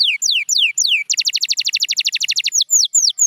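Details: A champion canary sings a training song. Clear falling whistles open it, then comes a rapid even trill of about fifteen sharp notes, and a few more slow descending whistles close it.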